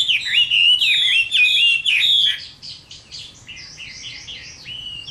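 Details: Chinese hwamei singing its fighting song at summer midday, loud, full whistled phrases that break into quicker, softer, choppy notes in the second half.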